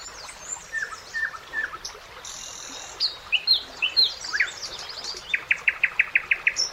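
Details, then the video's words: Nightingale singing on a summer riverside: quiet, varied high chirps and a trilled phrase build into a rapid, regular burst of about eight repeated loud notes, with steady soft background hiss. "Magical Nightingale Singing"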